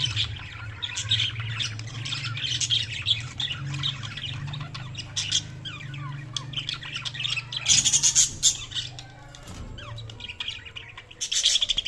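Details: Budgerigars chirping in dense, steady warbling chatter with harsh squawks and louder bursts toward the end, over a constant low hum.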